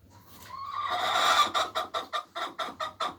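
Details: Hen's egg-laying song opens with a rising, swelling squawk and then settles into a string of sharp, evenly spaced clucks, about six in the final second and a half.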